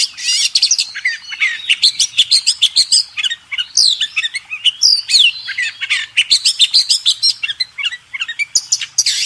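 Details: Oriental magpie-robin master recording for contest birds: loud, continuous high chattering song of rapid varied chirps, harsh squawky notes and quick whistled slides.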